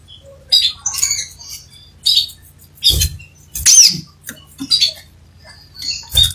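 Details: Crimson sunbird singing vigorously, scattered sharp high chirps and short squeaky bursts come in uneven bursts, with a faint low steady hum underneath.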